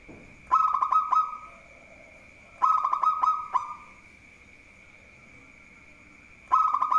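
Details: Local zebra dove singing vigorously, said to be good at provoking rivals into song; three bursts of quick, stuttering, mid-pitched cooing notes run together into short phrases, separated by pauses, over a steady high-pitched whine.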